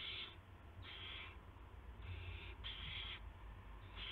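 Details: Owlets at a nest just after midnight on March 19, 2016, during food deliveries of mice and a gopher by the parent owls. Loud, harsh hissing screeches repeat almost continuously, about five bursts in four seconds, over a faint hum.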